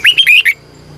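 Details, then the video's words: Red-whiskered bulbul singing at dawn as a decoy to lure wild birds and spur singing, in a double, long twisted voice style: four loud, clear warbled whistles, rising and falling, packed into half a second, then quiet. "Luyện chào mào hót sáng 2020, Giọng kép xoắn dài hót căng, Chào mào mồi gọi bổi hót hay"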